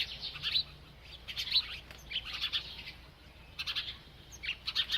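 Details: A bird chirping while eating: bursts of high, bright chirps and short twittering notes come in clusters roughly every second, with brief quiet gaps between groups and a faint low hum underneath.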